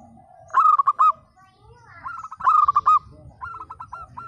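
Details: Local zebra dove singing actively in the 'broken voice' style, played to prompt silent, lazy birds to sing: three phrases, each a brief lead-in note then a rapid staccato burst of mellow cooing notes, about every 1.5 seconds, over a low hum.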